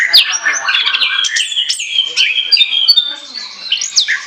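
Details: Energetic ngoceh chatter from an Orange-headed thrush, for use as a lure: quick squeaky whistles and rising and falling slurs strung together continuously, loud and varied.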